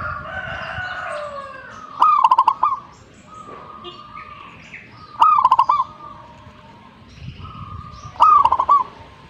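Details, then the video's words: Zebra dove singing vigorously (gacor): a mellow stuttering coo, a quick run of clipped notes ending in a level drawn-out tone, repeated about every three seconds over a soft murmur of background noise. "gacornya perkutut ini"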